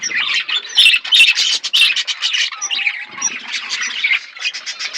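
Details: Feeding budgie flock with rapid scratchy chirps and squawks, many overlapping callers, and a thin sliding whistle in the middle.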